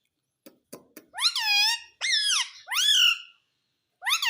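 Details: Talking green ring-necked parrot indoors: a few soft clicks, then three long harmonic word-like calls that rise and fall, each about half a second, and a fourth starting at the end.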